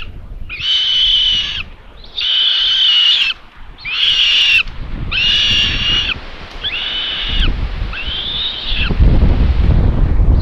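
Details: Common buzzard chicks begging at feeding time, nest camera in Tiszalök, Hungary, 27 May 2022; six wheezing, flat-pitched calls in steady succession, each nearly a second long, with rising low rustling and wind toward the end.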